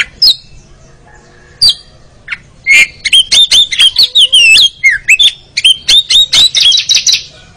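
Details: Oriental magpie-robin (kacer) therapy recording to bring out champion-style ngeriwik singing: a few isolated sharp notes, then a rapid rhythmic series of bright, looping whistles and chips.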